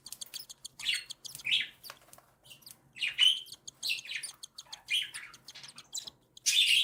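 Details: Captive cockatiel chicks aged one and seven days call while their mother feeds them: repeated shrill, wheezy squeals roughly every half second to second, interleaved with fine high ticks.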